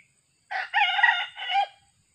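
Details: Crow of a young junglefowl being trained as a decoy bird after recovering from a leopard cat attack: a rough opening syllable, a drawn-out buzzy middle section, then a short dropping end note, against a quiet background.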